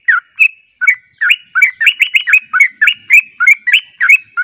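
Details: Lure recording of yellow-vented bulbul song meant to make wild birds answer: chattering, gurgling notes starting sparse, then tumbling quickly in a dense, lively sequence.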